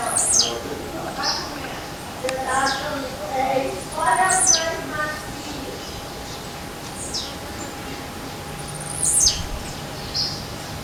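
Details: Blue-black grassquit (Volatinia jacarina) singing and hopping in a forest: a sharp, high, down-slurred buzzy note about every four to five seconds, with human voices and other soft bird chirps in between.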